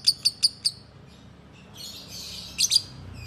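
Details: A group of lovebirds calling together: four sharp, very high chirps in quick succession, a pause with faint high chatter, then a few more shrill chirps near the end.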